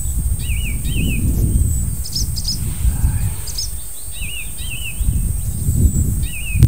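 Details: Icterine warbler, an out-of-season visitor that turned up in early July and stayed a few days, mimicking other birds. Its song of repeated wavy, warbling phrases mixed with sharp higher notes comes in quick bursts over a steady low rumble.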